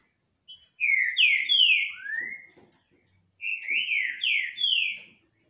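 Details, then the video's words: Two green-winged saltators sing face to face without fighting, giving two loud whistled phrases of three to four slurred, downward-sliding notes, one longer rising note between them, with soft ticking in the background. "Trincas cantando na cara sem brigar"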